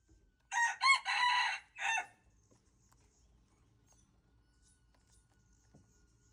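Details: Crow of a red junglefowl (txiv lau qaib qus), dated February 26, 2025: brisk, hoarse multi-syllable crowing lasting about one and a half seconds, followed by near-silence with faint background rustles.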